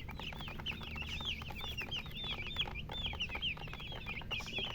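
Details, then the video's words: Chorus of baby chicks, clear high down-slurred peeps tumbling over one another in quick succession, a faint low hum underneath. "Baby "Chicks Chirping" Sound"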